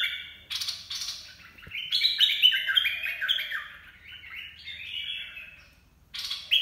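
A bulbul sings a bright, rapid run of warbled, bubbling phrases rising and falling in pitch, bracketed by short harsh chattering bursts at start and end.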